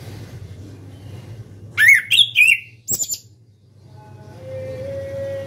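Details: Orange-headed thrush singing loudly, beak open: a quick run of wavering whistled phrases and a piercing high note, followed by low hum and a faint steady tone.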